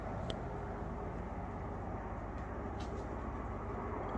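A steady low rumble of passing traffic or an engine, with a couple of faint brief squeaks and no clear animal voice.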